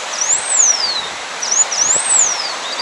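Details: Swallow-tailed cotinga, a Brazilian cerrado bird, giving very high, thin whistled notes, each sliding up then drawn down, about every one and a half seconds, over steady background hiss.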